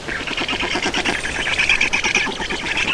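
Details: Estonian black stork nest at feeding time, 31 May 2019, 14:53: a continuous rapid chatter of scratchy, ticking pulses with a thin, squeaky edge.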